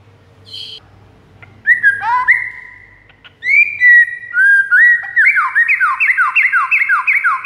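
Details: White-rumped shama, recorded as a master to draw in rival shamas: scattered whistles, then a long run of fast, repeated downward-slurred notes forming a rolling trill.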